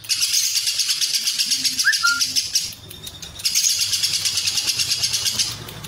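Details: Lovebird ngekek, long Cililin-style fill for training contest birds: two shrill, fast-pulsed chattering runs with a brief lull between them and a faint short whistle during the first.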